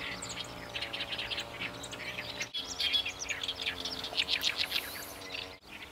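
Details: Chestnut-eared bunting in summer at its breeding grounds, the rice fields around the Ramsar wetland Kabukuri-numa in Japan: a fast jumble of high, sharp chirping and twittering notes. It runs nearly unbroken over a steady low hum and background noise.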